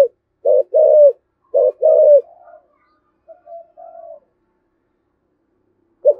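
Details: Thổ Sấm style spotted dove cooing, an intense lure call meant to provoke wild doves; pairs of short throbbing notes followed by sustained low coos, then softer trailing notes and a long silence before the next phrase.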